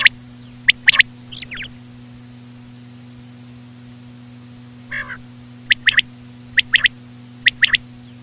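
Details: Female common quail giving sparse bursts of short, sharp, high notes in pairs and triplets, with a few softer nasal notes between long pauses, all over a constant low hum.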